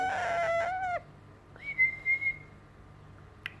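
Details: Baby yellow Indian ringneck parakeet saying its first words, moaning like a cat: a drawn-out, nasal, meow-like wail lasting about a second, then a clear whistled note held level for about a second, and a faint click at the end.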